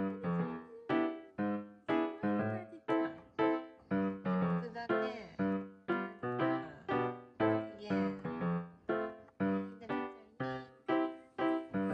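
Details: Rhythmic piano music plays throughout, and no animal sounds can be heard.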